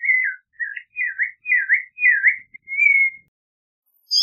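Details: Clay-colored thrush (Turdus grayi) singing a flowing sequence of warbled whistles, the phrases swooping down and up, ending on a longer level whistle, followed by a brief high sound at the end.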